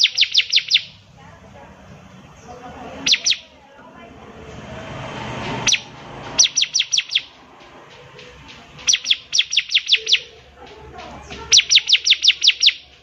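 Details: Bar-winged prinia singing actively as training material for juvenile prinias: repeated bursts of four to seven quick, high, piercing notes, irregularly spaced, with a faint noisy background between phrases.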